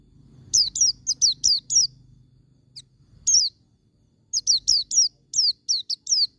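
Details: Wild-type white-eye song, played to stimulate caged birds into singing: high, thin notes that sweep downward, given in rapid bursts of three to five separated by short pauses, with a faint low hum beneath.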